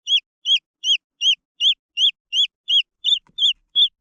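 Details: Green junglefowl chicks peeping: high, clear downslurred notes repeated steadily about three times a second, with a faint soft tap near the end and no other sounds.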